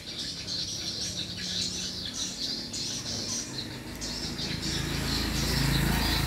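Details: Swiftlets at a small swiftlet house chatter in rapid high chirps while a low rumble grows louder toward the end.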